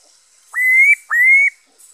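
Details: Two loud, clear whistles from a black-throated laughingthrush, recorded 5/5/2021, each sweeping sharply up and then holding a slightly rising note, about half a second apart.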